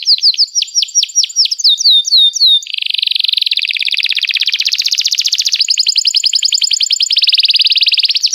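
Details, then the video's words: Canary in long song, offered as a stimulus for canaries that have stopped singing: clear falling whistles give way to a long, fast, rattling trill that shifts pitch in several steps and keeps going. "Kenari Gacor Panjang Cuit Cuit Emosi, Pancingan Kenari Paud Belajar Bunyi, terapi ampuh kenari macet"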